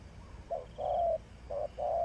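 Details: Spotted dove kept as a decoy bird for trapping, cooing low: two short clipped notes, then a longer held coo, the phrase starting again after a brief pause, over faint background hiss.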